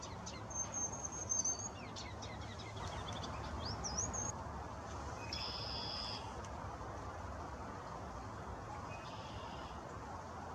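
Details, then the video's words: Ruby-crowned kinglet on northbound spring migration, singing and preening in Brookbanks Ravine, Toronto, Canada, 17 April 2020: thin high whistled notes and short twittering phrases in the first four seconds, then faint high notes over steady low background rumble. "Ruby-crowned Kinglet Singing in Toronto"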